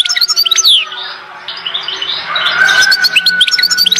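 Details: European goldfinch from Oued Zhour, Skikda: quick tinkling twitter at the start, a softer rushing middle section, then renewed busy chirping, over a faint steady hum.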